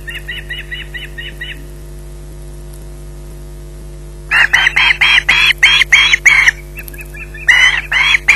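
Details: Osprey holding a fish on its nest at Loch Garten: a quick chain of thin, faint chipping notes, a pause of nearly three seconds, then loud grating screeches in a rapid series with a brief break before the last few.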